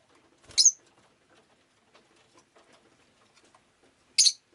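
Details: Rosy-faced lovebird on a rainy day: a harsh high chirp, a long quiet gap with faint tapping, then another loud shrill chirp.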